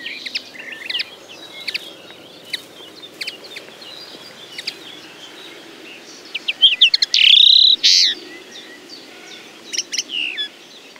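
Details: Common linnet song: scattered short high twittering notes and clicks, then a louder burst of rapid chirps leading into a sustained bright whistled note near the end, over faint background hiss.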